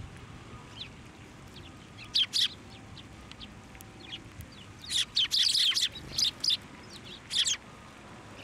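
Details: Sparrows flying to a hand to be fed at a Tenmangu shrine in January, giving scattered sharp chirps that swell into a rapid overlapping flurry midway, then single chirps trailing off.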